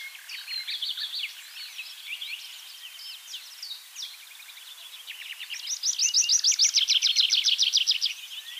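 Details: Tree Pipit singing in Bakkum, the Netherlands, in 2023. Varied high, thin notes and short phrases lead into a loud, rapid series of evenly repeated notes over the last three seconds. Other songbirds may sing in the background.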